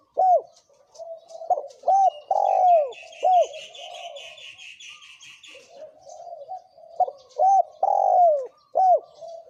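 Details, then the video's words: Male and female spotted doves give provoking thổ kim coos to draw wild doves. Bowed coo notes open and close the recording, with a stretch of busy higher chirping from other birds in between. "Tiếng chim cu gáy thổ kim kích bổi trống mái"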